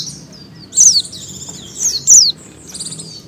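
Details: Female Oriental white-eye in breeding condition calling for males: a burst of high, slurred falling notes tangled with rapid overlapping twitters, then softer chirps fading out.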